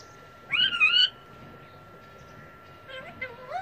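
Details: Pet parrot whistling: one loud wavering whistled phrase, a pause, then softer rising whistled notes, over a constant background hum.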